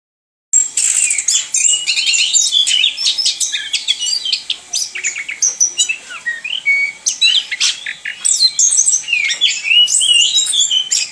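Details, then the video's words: Kept orange-headed thrush singing in the rolling 'ngerol' style: a dense, nonstop stream of high, sharp whistles, chirps and rapid trills that rise and fall, with barely any pauses across eleven seconds. "ANIS KEMBANG NGEROL"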